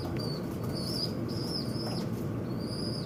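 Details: Noisy birds fighting at a window: drawn-out high chirps, some sliding slightly downward, come in a quick series of four or five over a low steady rumble.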